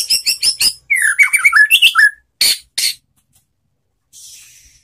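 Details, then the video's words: White-rumped shama (murai batu) relaxed lure song meant to get stuck or post-moult birds singing: quick high notes, then a tumbling run of twisting whistles, two harsh chips and a faint rasp. "SUARA MURAI BATU SANTAI untuk Memancing BUNYI NYAUT"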